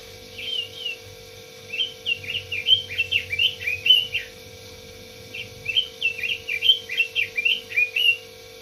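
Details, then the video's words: Red-billed leiothrix repeating its song twice: each bout a lively string of slurred, fluty whistles rising and falling in quick succession, separated by a silent pause of about a second, with faint steady hum behind. "Suara burung robin"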